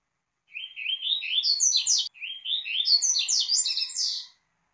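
A double-collared seedeater sings two quick, bright phrases of rising chirps that climb into buzzy, tumbling notes, each about two seconds long. No other sounds.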